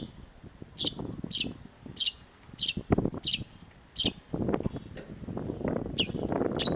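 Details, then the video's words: Long-tailed shrike recorded as a training master for cage birds: sharp, high notes repeated roughly every half second, with a loud low rustling and rumbling noise building in the background toward the end. "cendet gacor MASTERAN CENDET SUARA TAJAM || Long-tailed Shrike"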